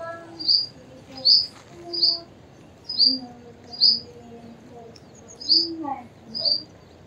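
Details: A purple sunbird in eclipse plumage or juvenile plumage gives short, sharp, high chips, about eight in seven seconds at an uneven pace, over a faint low murmur of background sound.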